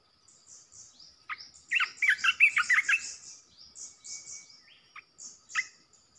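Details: Red-whiskered bulbul singing as a decoy to provoke other bulbuls: a dense, fast phrase of bright, bubbling whistles, then scattered single notes amid faint, high chirping.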